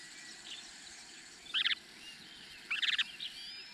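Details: At a nest where a Chinese hwamei pair is raising four chicks, the hwamei gives two short bursts of harsh, rasping stacked notes about a second apart, with faint high chips and a steady background hiss.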